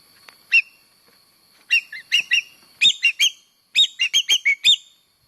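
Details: Common green magpie (Cissa chinensis), known locally as engkek keling layongan, calling as a lure sound: an isolated note, then quick bursts of three to five short, harsh, ringing chirps with bright overtones, separated by brief pauses, in a clean, quiet background.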